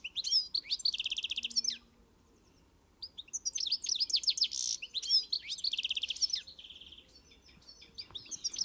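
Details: European goldfinch singing in fast, high, liquid twittering phrases with buzzy trills, broken by a clear pause of about a second before the song resumes, over a faint low hum.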